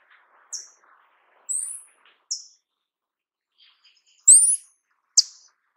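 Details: Sete-cores-da-amazônia, the paradise tanager, uttering six scattered, piercing, thin tsit notes over about five seconds. Some notes rise and others drop sharply, with quiet gaps between them.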